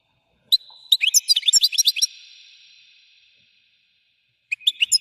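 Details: European goldfinch song: a quick run of high, tinkling twittered notes over a held ringing tone, which fades out, then after a pause a fresh burst of bright chirps begins.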